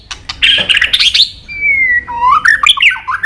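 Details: White-rumped shama training song: a burst of harsh chattering, then a long, pure, slowly falling whistle followed by a rising run of quick warbled notes.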